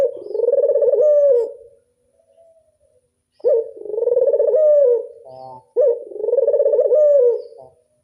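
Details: Local Barbary dove with a classic angungan voice, giving three rolling, pulsed coos of about one and a half seconds each. A silent pause follows the first, and a brief gurgle comes before the last.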